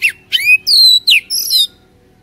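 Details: Oriental magpie-robin song played to spur a caged bird: a few loud, drawn-out whistles, some sliding downward and one long steady high note, followed by quiet.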